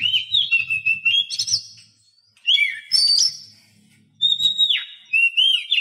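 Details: Captive Oriental magpie-robin song, played to make quiet cage birds start singing: loud phrases of sweet whistles and slurred notes, separated by short pauses, with a faint low hum underneath.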